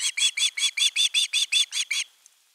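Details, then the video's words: Osprey young begging for fish on a Finnish nest, August 2021: eleven loud, high, grating whistles in quick even succession, then falling silent. "Myy huutaa pitkään kalaa"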